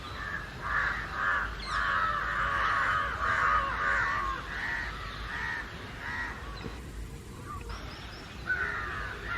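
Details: Loud house crows, joined by jungle crows, united in mobbing someone; repeated harsh caws in quick bursts roughly twice a second, fading briefly before another caw.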